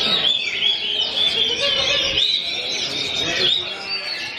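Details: Oriental magpie-robin (kacer) at a bird song contest, delivering a continuous high, wavering whistled warble with quick trills, while other contest birds sing around it and faint crowd noise runs underneath.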